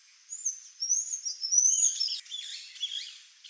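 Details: Black-faced tanager feeding among genipap flowers in Brazil, giving very high, thin, wavering notes that slide up and down in a continuous twittering run.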